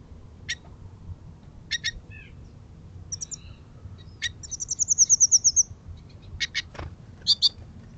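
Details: Goldfinches gathering in the early morning, chattering. Scattered bright, high twitters and short chirps, then a quick run of about a dozen rapid notes in the middle, then more clipped twittering notes, against a soft low background rumble.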